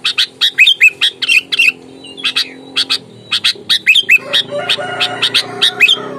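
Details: Sooty-headed bulbul calling aggressively to provoke a rival: quick clusters of harsh chack notes, a short gap, then more spaced rasping calls against a rising background hum and rustle.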